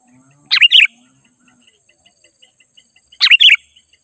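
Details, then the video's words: Sooty-headed bulbul singing in a vigorous, full-voiced style meant to draw wild birds closer: two short, bubbly, warbled phrases of quick descending notes, spaced about two and a half seconds apart, over a faint steady high hiss. "Suara Burung Kutilang GACOR Asli 100% Ampuh Untuk Memanggil Burung Kutilang Liar Auto Mendekat Emosi"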